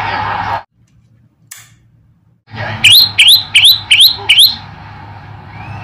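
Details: Another song variation of a male olive-backed tailorbird: after a short noisy start and a silent gap, five loud, ringing notes, each sweeping sharply upward, follow one another at a steady pace.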